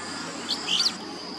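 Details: Rainbow bee-eater in Australia, calling while feeding in the afternoon and sunset, gives a brief cluster of three quick high rolling chirps over a faint steady background hum.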